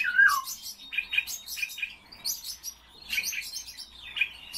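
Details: Common starling kept as a cage bird, opening with a clear descending whistle, then bursts of clicking chatter and sharp squeaks separated by short pauses.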